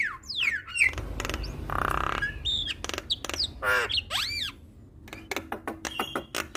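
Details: Javan myna in varied full song, used to spur other mynas into singing. Quick sliding whistles and harsh rasping bursts come in close succession, followed by a quieter stretch of sharp clicks and thin whistles.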